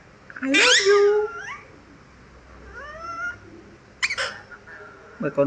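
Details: Pet male Alexandrine parakeet, a green talking parrot that mimics phrases such as "I love you Papa" and "Good morning": a strained, harmonic burst rising then falling, a softer wavering phrase, then short clipped notes at the end.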